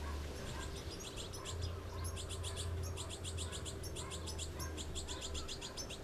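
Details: Young goldfinches begging while being fed, giving fast series of sharp, high twittering chirps in quick bursts with brief pauses. A constant low drone runs underneath.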